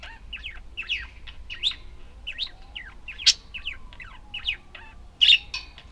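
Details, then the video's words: Pet budgerigars chirping in a steady stream of short, high, rising-and-falling notes, with a couple of louder harsh squawks and a faint lower whistle beneath. "Волнистые попугайчики (budgies)"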